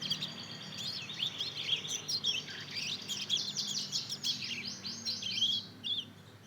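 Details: Two-month-old Mozambique canary × canary hybrid (mozken) learning to sing, practising its early twittering song. A continuous run of high, thin chirps and trills carries on for several seconds, with brief swooping notes and a faint low hum underneath.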